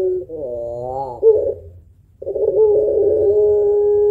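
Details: Long, deep cooing of a spotted dove (puter pelung) kept to stimulate other birds: a short coo, a wavering rising phrase, a pause, then a long sustained low coo.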